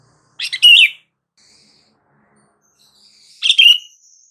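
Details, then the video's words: Sooty-headed bulbul call to get silent bulbuls answering: two bubbly whistled phrases three seconds apart, with thin high faint notes from another bird in between. "SUARA PANGGILAN BURUNG KUTILANG , TERBUKTI AMPUH BIKIN KUTILANG BISU LANGSUNG RESPON"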